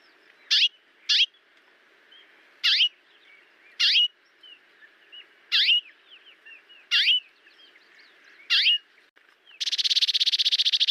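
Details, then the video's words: Brazilian Cerrado bird song: sharp high notes repeated about every second, with soft warbling between them, ending in a loud, rapid buzzy rattle. "CANTO de AVES do CERRADO BRASILEIRO"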